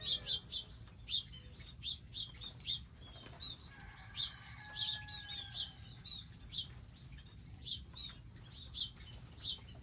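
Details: Wild birds visiting a specially designed garden area with feeders, seeds and water; short high chirps repeat every half second or so in loose bursts, while a steady low droning tone sounds in the background midway through.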